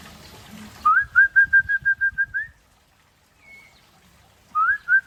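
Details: Aceh white-rumped shama singing in the afternoon: a rapid run of about ten clear, evenly pitched whistled notes rising slightly at the end, a pause with a faint upslurred whistle, then the series starting again.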